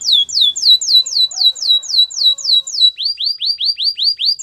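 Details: Canary song of evenly repeated notes: a series of falling whistled slurs roughly four per second, switching to a lower run of arched rising-falling whistles.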